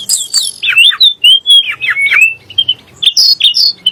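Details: Sunda blue robin, sung to provoke magpie robins: a sequence of swooping, bending whistled notes, one after another, followed by a quieter pause and then a few sharp high phrases.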